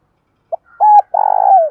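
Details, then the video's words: Spotted dove, a decoy bird's provoking call used by keepers to spur wild-caught doves into calling back: a short soft note, then a steady mid-pitched coo, and a longer wavering coo that slides downward at its end. "Tiếng chim cu gáy thúc đấu/ chim cu mồi thúc đấu giúp chim cu gáy bổi gáy theo, và nhanh nổi"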